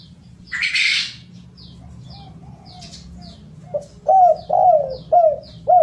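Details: Spotted dove calling in a lure recording meant to get birds singing fast: a noisy rustle at the start, soft coos, then four loud bending coos, with a steady pattern of faint high descending chirps.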